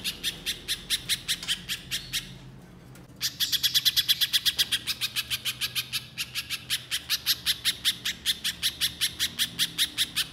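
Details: Little spiderhunter singing a fast, continuous run of sharp, high chip notes, roughly five per second, broken by a brief pause near the third second before resuming steadily; faint low background hum.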